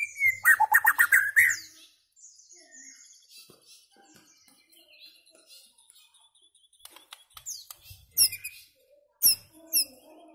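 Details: White-rumped shama singing: a loud burst of rapid, harmonic whistled notes at the start, long quiet stretches with faint chirps, then sharp high-pitched chirps near the end.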